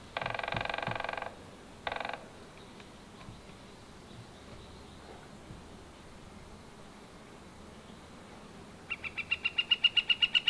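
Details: Northern flicker with wood-pecking: a rapid burst of dry, rattling taps, then a short second burst, a quiet pause with faint knocks, and finally an even, ringing series of repeated call notes that swells in volume.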